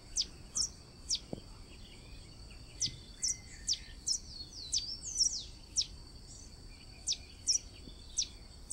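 Thin, high, squeaky notes from a Blue-and-yellow Tanager, sharp down-slurred chips about once a second, over a steady high insect-like hum.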